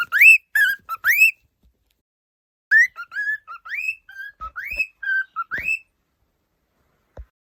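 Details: Happy pet cockatiel singing while running about: bright whistled phrases of rising slurs and flat notes in two bursts with a long gap, plus a few faint clicks or footsteps.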